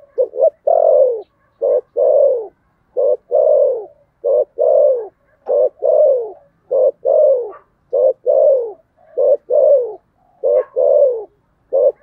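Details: Spotted dove fighting coo in the 'thổ sấm' style, delivered steadily: paired short notes, each followed by a strong, drawn-out, descending coo. The phrase repeats about every one and a half seconds, roughly ten times, loud and clear.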